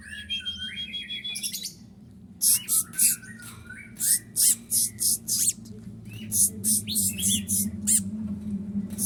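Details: Sunbird with mimicked prenjak and kapas tembak phrases in its song, for tutoring other birds: opening warbled notes, then rapid series of harsh, high chattering bursts about three per second, over a constant low hum.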